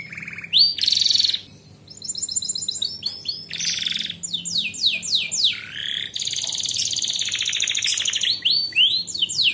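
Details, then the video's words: Canary song recording used to train young canaries: rapid, high, varied song of bright trills, rolling buzzy phrases and swooping whistles, switching tours every second or so without pause. "SUARA MASTERAN BURUNG KENARI AGAR KENARI MUDA /BAHAN CEPAT BUNYI DAN GACOR"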